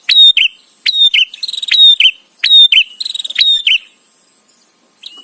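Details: Chattering bar-winged prinia song, recorded for teaching a white-rumped shama. Loud, sharp descending notes mix with rapid buzzy trills in two bursts, then a near-silent pause and one faint note at the end.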